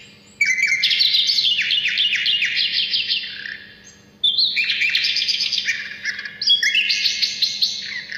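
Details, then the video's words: Asian brown flycatcher in full song, used as a lure and as song training for other songbirds; two long runs of rapid, high, stuttering twitters with slurred notes, separated by a brief quiet pause. "sikatan londo gacor suara istimewa buat pancingan burung kalian"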